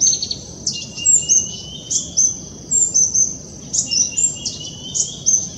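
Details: A Black-throated Sunbird calls excitedly from a wire, giving thin, very high chips and short sliding whistles, roughly one burst a second, over a faint low background hum.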